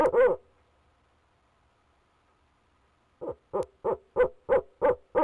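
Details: Nest-camera recording from Leesville, 2018: a male barred owl calling from his box finishes a long wavering hoot, stays quiet for about three seconds, then begins another series of short, regular deep hoots.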